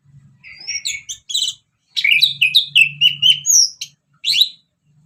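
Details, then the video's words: Orange-headed thrush singing ngeplong-style as a lure: a rapid run of varied chirps, buzzy notes and clear whistled slurs, about four per second, broken by short gaps, with a faint low hum underneath. "Kicauan Anis Merah Bikin Emosi Dan Gacor"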